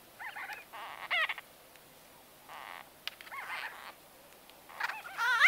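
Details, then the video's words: Close-up conversation among white-fronted bee-eaters, short nasal squeaks and buzzy chatter in scattered bursts, ending in a louder rising squeal. "White-Fronted Bee-Eater. NB: Exact Date Of Recording Not Known. MCU-CU Conversa"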